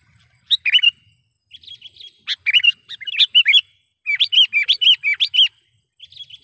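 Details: Lure call of a sooty-headed bulbul for trapping: loud, bubbly chirps followed by a steady run of evenly spaced, slurred notes, then a brief trailing phrase.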